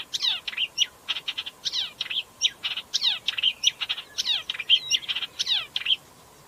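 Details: Upcher's warbler (Hippolais languida) singing a fast, scratchy, chattering warble of descending slurs and sharp notes in steady phrases, high-pitched and continuous.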